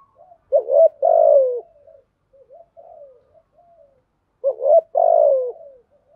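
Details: Spotted dove cooing 'gù thúc' style: two strong phrases four seconds apart, each a short two-part note followed by a long falling coo, with faint soft calls in the gap, otherwise quiet.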